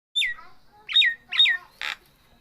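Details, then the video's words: Nias hill myna, a kept bird, giving loud whistled notes that drop steeply in pitch, followed by a short harsh burst near the end. "Burung jalak Nias super gacor.."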